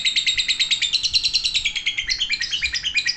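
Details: Lovebird mid-'ngekek', a dense, shrill, continuous chatter of rapid, evenly pulsed notes, around three per second, scratchy and high, holding steady without pause throughout.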